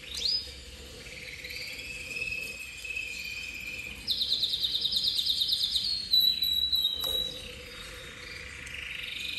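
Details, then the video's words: Song of a copper cobalt intense canary: a brief rising note, a soft level roll, then a loud rapid high trill of evenly spaced notes. A sharp whistled phrase and a falling roll follow. A faint steady hum is heard throughout. "CANÁRIO COBRE COBALTO INTENSO"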